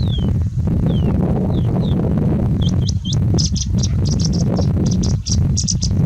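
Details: Singing bush lark in heavy wind in India; several falling slurred whistles open, then dense bursts of short high chirps in quick clusters, with constant loud wind roar underneath.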